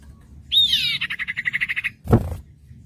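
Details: Common iora song for training untrained birds: a clear whistle sliding down into a fast, even rattling trill of about a dozen pulses, followed by a dull knock.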